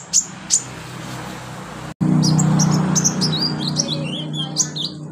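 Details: Olive-backed sunbird (konin, kolibri ninja) song played as therapy to make a bird start singing. It consists of very high, thin chirps and short twittering trills, with steady low hum and background noise throughout.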